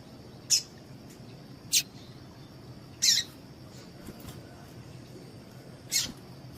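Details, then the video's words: Repeated short, shrill, buzzy notes from a female double-collared seedeater, five in about six seconds at uneven gaps, a call for stimulating males to sing, with background hiss and a faint high hum. "MELHOR PIADO DE FÊMEA DE PAPA CAPIM PARA DEIXAR SEU PAPA-CAPIM DOIDO PARA CANTAR LOGO!"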